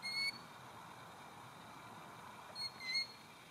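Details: A talkative Killdeer close by at Northrup Point near Electric City, Washington, on 31 March 2020 gives two short, shrill, piercing calls about three seconds apart, over a steady background hiss.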